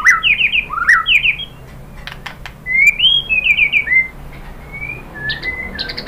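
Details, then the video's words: White-rumped shama song played to goad other birds into singing: quick bouncing whistled notes, then longer sweeping whistles and soft trailing phrases, with scattered sharp clicks. "KICAUAN MURAI BATU MERANGSANG EMOSI jadi NYAUT GACOR BONGKAR MATERI ISIAN | PANCINGAN MURAI"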